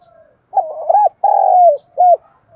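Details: Spotted dove decoy calling to lure wild doves in to fight: a low cooing phrase of a short double coo, a longer drawn-out falling coo, then a final short coo, clear against silence.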